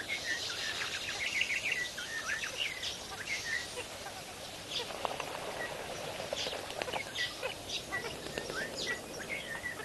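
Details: A crowd of lesser flamingos at Kamfers Dam near Kimberly, South Africa, keeps up a busy babble of short honking and yapping calls from many birds at once, with a brief cluster of higher chirps early on.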